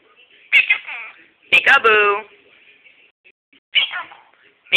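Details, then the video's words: Caged pet Quaker parrot, a 1.5-year-old male, mimicking the word peekaboo: three raspy, nasal, speech-like phrases with stacked harmonics, spaced about a second apart, the middle one longest, over a faint high tone. "the Pe ka booing quaker parrot"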